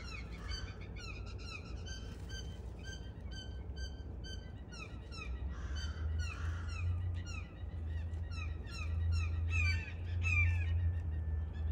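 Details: A family of six excited Blue Jays in a backyard early in the morning, waiting for peanuts with crows nearby, give harsh, ringing calls in quick, uneven series, with other birds calling around them over a steady low rumble.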